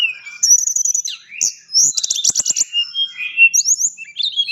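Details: Tame, highly vocal blood-breasted flowerpecker (tledekan gunung) singing a full, varied chatter: high thin twittering, rapid buzzy trills and quick rising and falling whistled notes in dense bursts.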